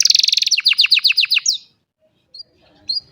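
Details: Old canary in song on a sunny morning, phone-recorded: a very rapid, high trill shifts into a slower series of dropping notes and then stops, leaving near silence with two faint chirps.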